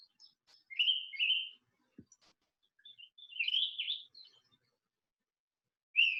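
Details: A green-backed flycatcher, a summer migrant breeder in the mountains around Beijing, sings short, sweet whistled phrases in bursts, high and warbling with quick rising and falling notes, separated by brief pauses; a faint click midway.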